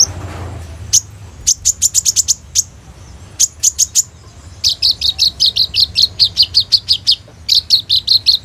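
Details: Sunbird, a singing prolifically with rich varied song used as a lure to train young sunbirds, recorded on an Oppo A37f phone: scattered high sharp chips, then a long rapid series of bright, evenly spaced high notes.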